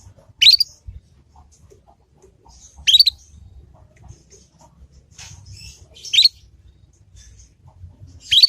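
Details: Juvenile Yorkshire canary practising ngriwik notes, a lure to help other canaries learn quickly; bright upward-sweeping chirps repeated about every three seconds, with faint soft twitters between them and light low rumble.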